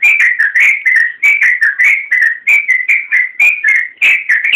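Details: Energetic 'gacor' trucukan, the yellow-vented bulbul, used as a tutor recording for other birds: a steady run of rich gurgling whistles, short warbled phrases following one another almost without pause, with no other sounds.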